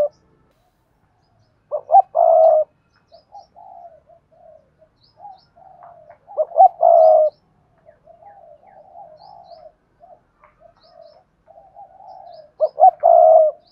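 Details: Spotted dove performing the Cườm Sa song style, with a voice called hạp bổi: a loud phrase of clipped coos ending in a long drawn hoot, repeated about every five seconds, with soft murmured notes between phrases.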